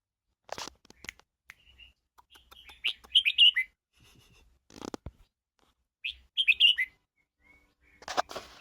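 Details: Red-whiskered bulbul stimulating song for bringing out voice: brief bursts of lively whistled, warbling notes repeated a few times, mixed with sharp clicks and knocking sounds.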